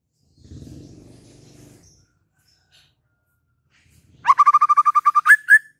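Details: White-rumped shama: a soft low rumbling noise at first, then after a pause a loud burst of rapidly repeated clear notes ending in two higher, sharper whistles.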